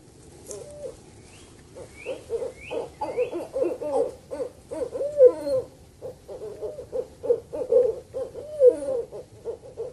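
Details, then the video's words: Owl calling, as used to attract birds: low, wavering hoots in quick uneven series, with a few faint rising chirps early on. "Masteran suara burung Hantu untuk memikat burung"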